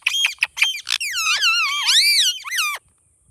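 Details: A talking Indian ringneck parakeet, loud and close. Rapid harmonic syllables run into a long, wavering, speech-like phrase that rises and falls, then stops suddenly, leaving a faint steady hiss.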